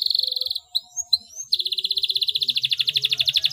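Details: Canary singing to prompt silent canaries into song: a rapid pulsed trill, a few short chirps and a rising whistle, then a long, even, rattling roll of quick repeated notes; faint low hum beneath.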